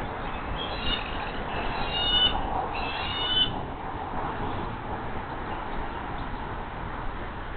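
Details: Bald eagle at its nest along the Monongahela River in West Mifflin, Pennsylvania, 17 April 2023, morning, while an adult delivers a large largemouth bass. Two quick clusters of high, squeaky, falling chirps appear early, then only constant low background hum.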